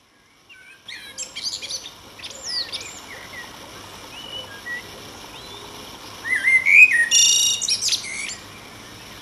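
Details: Common blackbird singing powerfully on a July 16 evening in Denmark, a rich, low fluted warble with trills and runs breaking into a high, squeaky twitter; scattered chirps from other birds earlier on.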